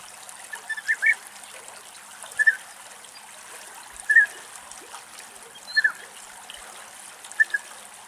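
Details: A European bee-eater (Merops apiaster), in a tree in Greek countryside, gives short, rolling, liquid calls about every one and a half seconds over a steady background hiss.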